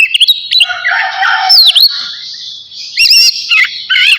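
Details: Vigorous song of a navy-type oriental magpie-robin ready for its bath: a sustained high buzzy note under sweeping whistled slurs, then looping bright twittered figures and a final burst of rapid chirps.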